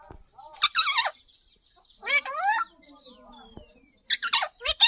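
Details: Parrot giving loud, harsh, harmonic squawks with quick up-and-down pitch bends, in bursts at the start, in the middle and at the end, with quieter thin whistles and faint murmurs between them.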